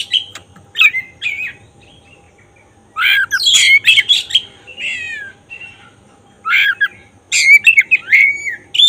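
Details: Black-breasted oriental magpie-robin singing to provoke another bird into excitement and tail-opening: scattered sharp notes, then bursts of harsh, scratchy chatter mixed with slurred whistles, separated by silent pauses of one to two seconds.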